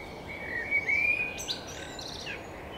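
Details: Common blackbird singing, recorded on a RODE VideoMicro: a clear fluted whistle held level and slightly rising, ending in a brief higher squeaky flourish, over steady rushing background noise.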